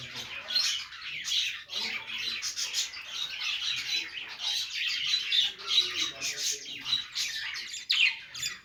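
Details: Budgerigars making happy sounds while playing: a dense, continuous scratchy chatter of overlapping chirps and warbles from several birds, with brief louder squawks near the start and around eight seconds.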